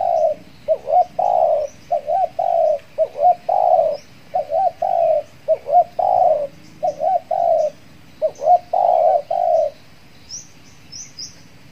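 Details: Decoy spotted dove, back outdoors after moulting, luring wild doves; a long series of hooked short coos and drawn-out level coos for about ten seconds, then quiet with thin high chirps from other birds.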